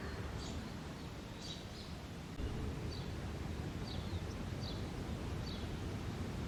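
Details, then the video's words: Male house sparrow chirping constantly at the start of the summer breeding season; short, high, downward-slurred chirps come roughly once a second, faint above a steady low rumble of background noise. "Chirping Sparrow Sounds."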